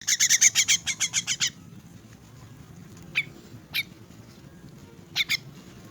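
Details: Orphaned, crippled myna being fed, giving a rapid burst of about nine harsh, raspy squawks in the first second and a half, followed by a few scattered single squawks over a low background hum.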